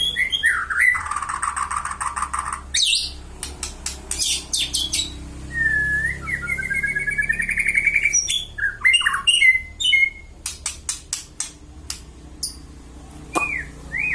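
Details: White-rumped shama (murai batu) singing in the tembakan style: a rapid, varied burst of loud whistles, sharp chips, buzzy trills and sweeping slurred notes, delivered in quick phrases with brief pauses throughout.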